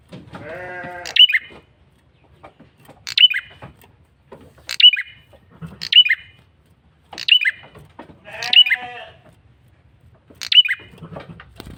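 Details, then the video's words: Lure call of a male bar-winged prinia, calling insistently: seven bright, clipped bursts dropping in pitch, spaced one to two seconds apart, with a bleat-like harmonic sound at the start and again midway. "Suara PIKAT prenjak kepala merah jantan GACOR NGOTOT"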